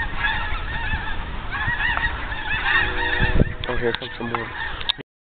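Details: Geese flying over at sunset keep up a busy chorus of overlapping honks for about five seconds, with clicks and a louder nearby honk toward the end before the sound stops.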